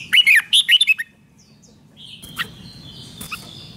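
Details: Red-whiskered bulbul singing rik, played to excite caged birds: one quick phrase of about six bright, jerky, clipped notes within a second, followed by faint high whistles and a few soft chirps.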